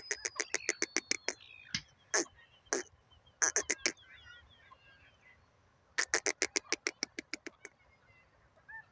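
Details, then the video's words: Female grey francolin. Bursts of quick, hard clicking notes in fast runs, separated by short pauses, with faint thin whistles from other birds between the runs. "female grey francolin sounds teeter awaz"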